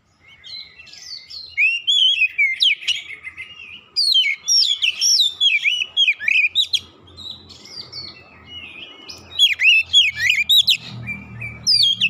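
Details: Riled-up oriental magpie-robin answering a rival with agitated display: long, varied outpouring of sharp high whistles, slurs and chattery notes in quick bursts, with faint low rumbling in the background toward the end.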